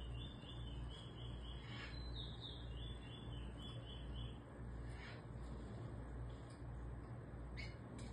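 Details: Singing Eurasian bullfinch, teaching a young bird its song. About a dozen soft whistled notes repeat in a quick row for three seconds, then only scattered faint notes sound against a constant low hum.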